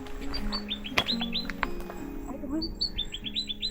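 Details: A Pacific robin perched on a branch on Mount Vaea, Samoa, gives two quick runs of high, thin notes that step downward, with soft background music humming underneath.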